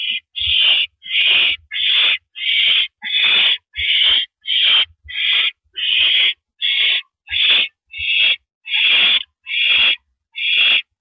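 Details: Owl on a porch perch at 8:17 PM, April 9, 2012, uttering a long series of raspy hissing screeches, about fifteen in eleven seconds, fairly regular, with occasional faint knocks.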